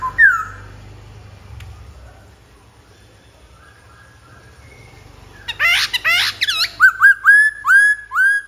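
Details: Black-throated laughingthrush song: after one short whistle and about five seconds of near silence, a burst of loud, rich, rapidly varied whistles and trills, then a regular series of upslurred whistles repeated about twice per second.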